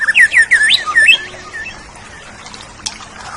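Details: Oriental magpie-robin song for training pet songbirds: a run of looping, slurred whistled notes in quick succession, then a quiet stretch ending in a soft chirp and a faint low whistle.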